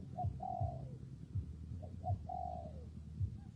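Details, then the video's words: In wind and rain, a spotted dove gives two phrases, each a quick short note and then a drawn-out coo that slides down at the end. A constant deep rumble sits underneath. "nghe cu gáy gù cả ngày"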